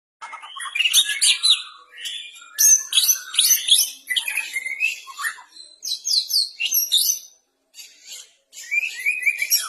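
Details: Captive white-rumped shama practising its song: rapid varied phrases of sharp whistles, buzzy notes and high chirps in bursts separated by short pauses, mostly very high-pitched.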